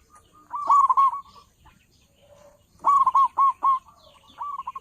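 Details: Local zebra dove with a big voice, used as a lure for dove trappers: two loud phrases of quavering, rolling coos, the second broken into four separate stuttering notes, with a soft low murmur between.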